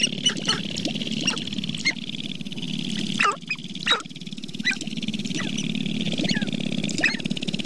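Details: Sharp-tailed grouse at Namekagon Barrens, northern Wisconsin, in April: a steady low buzzing rattle with scattered crisp clucks and cackles, some louder bursts near the middle, from several birds.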